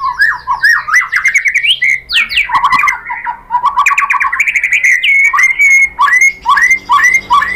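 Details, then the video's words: White-rumped shama song played to provoke other birds, a rich varied warble of swooping whistles, buzzy trills and chattering notes, ending in repeated looping phrases. "PANCINGAN MURAI ¦ SHAMA BIRD"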